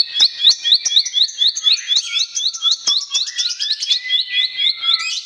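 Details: Bar-winged prinia song, a filler-song variety used as a lure to get silent or stalled birds singing: a series of hooked, upslurred chirps near one pitch, about four a second, over a lower steady whistled tone.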